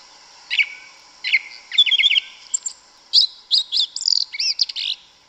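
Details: Brazilian forest song of a yellow-legged thrush: spaced high chirps becoming a quick run of whistled and looping notes, fairly loud over a continuous faint hum.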